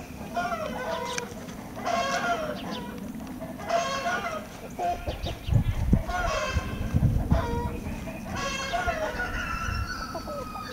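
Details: Red Blue Wyandotte chickens, 2020 stock: loud, raspy, harmonic crows or squawks recur roughly every two seconds over steady low rumbling, with thumping bumps in the middle section.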